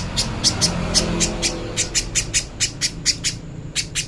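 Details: Little spiderhunter master song for training, clear: a brisk series of harsh, high, clicking chips, about three per second, with brief gaps and a low background hum.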